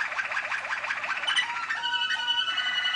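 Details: Malinois waterslager canary (2013) singing quick pulsed rolls that give way to long, smooth, level whistled tones at two pitches.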